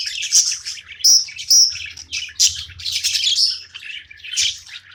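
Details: A pet budgerigar chirps at play, with sharp, high whistled squeaks standing out from a steady bed of scratchy warbling.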